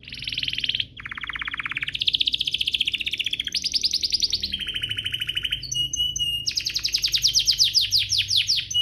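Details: Canary song as a singing lure for other canaries: a chain of rolling trills at shifting pitches, buzzy and rapid, with a brief flat whistle before a bright high rattling roll.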